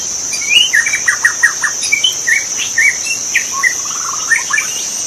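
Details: In the forest a wild magpie-robin delivers a busy run of whistled notes, rising slurs and stuttered figures, almost without pause, while insects buzz steadily high above.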